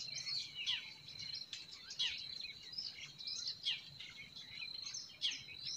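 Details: Springtime forest birdsong, with lively clustered chirps and quick twitters coming in bursts every second or so, layered over a continuous high-pitched insect-like hum.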